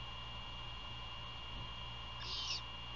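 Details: At night near Savannah, Georgia, 27 February 2022, a nest-camera great horned owl gives one brief raspy, hissing screech late in the clip during prey handover and feeding, against constant low hum.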